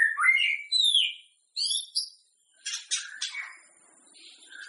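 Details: White-rumped shama song played to prompt other shamas to sing before a contest: clear slurred whistles and rich warbled phrases, then a burst of harsh scratchy notes, with short silent pauses.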